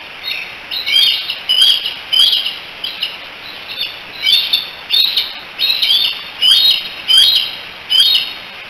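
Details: Trio of bald eagle eaglets in the Decorah nest on 16 July 2018, chatting and probably calling to their mother: loud, high, squeaky chirps in short repeated bursts, roughly every half second, with faint background hiss.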